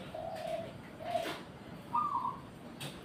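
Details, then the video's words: Zebra dove cooing: two soft, steady mid-pitched tonal notes in the first second and a half, then a slightly higher, brief purring note near two seconds, over quiet indoor-like background hiss. "Burung Perkutut"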